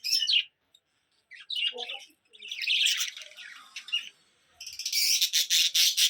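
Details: Budgerigars chirping in the sunlight: bursts of high, scratchy twittering and warbled chatter come in short runs separated by brief pauses, while a woman speaks Bengali softly in between.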